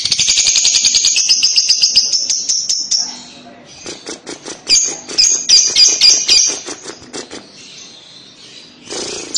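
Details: Lovebird kekek chatter used to lure young lovebirds to answer: a fast, even run of high buzzy pulses for three seconds, then choppier rattling chatter and a few sharp squawks.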